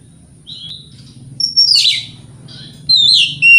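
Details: White-rumped shama in the morning, singing to draw answers from rival birds; a soft whistle, then two loud bursts mixing high pure whistles with harsh buzzy notes.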